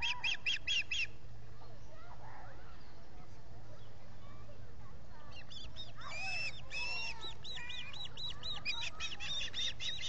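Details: Osprey at the Salt Point nest in the Finger Lakes, US, with three birds at the nest on 19 July 2021, recorded by a solar nest camera. Bursts of sharp, rising-falling chirps repeat rapidly, with songbirds and steady low noise behind them.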